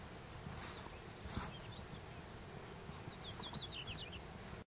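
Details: A Japanese accentor in the breeding season on Daisetsuzan, Japan, in July 2021 gives quiet ground calls: thin, high, scratchy "chiririri" notes, a few scattered and then a quick run of about six, over steady low wind rumble.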